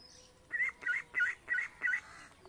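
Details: Domestic village ducks in India walking with ducklings toward a pond: five loud, rasping calls in an even series about a third of a second apart, with faint birdsong behind.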